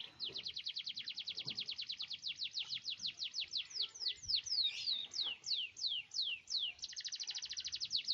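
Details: Canary singing a long roll, used as a lure to coax silent canaries into song: a fast trill of downslurred high notes slows into broad sweeping notes, then ends in a rapid, even, buzzy roll.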